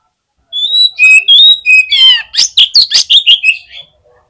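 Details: Contest fighter Oriental magpie-robin at the hanging pole, its song meant to provoke rival magpie-robins. Clear high whistles and a descending slur lead into a fast, regular run of about ten loud, sharp chopped notes before stopping abruptly.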